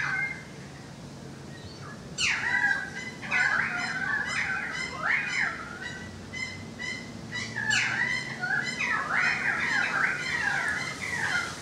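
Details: Balcony recording of currawong song: bursts of swooping, slurred whistles in dense overlapping phrases beginning after two seconds, with a second loud burst near eight seconds, over low hum.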